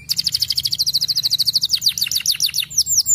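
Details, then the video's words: Canary singing as a lure so young canaries start singing and rolling: a quick even trill of bright high notes, then falling swept notes repeated in a rolling series, with faint low hum behind. "SUARA KENARI LAGU ENAK AMPUH jadikan KENARI MUDA cepat BUNYI DAN NGEROLL"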